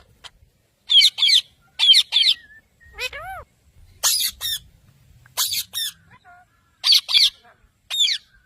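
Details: Talking pet parrot, family moments: paired harsh squawks repeated about once a second, broken by one clear, rising-then-falling whistled note.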